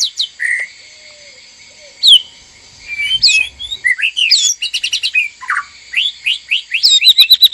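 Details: Male and female white-rumped shamas kept in a breeding cage, vocalizing to stir mating: varied clear whistles and sharp upslurred notes after quiet gaps, building to rapid repeated notes at the end.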